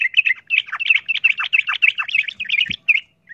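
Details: Sooty-headed bulbul fighting song meant to provoke other birds into combative excitement: a rapid chattering run of bubbly, slurred notes repeated steadily for about three seconds, with a brief knock near the end.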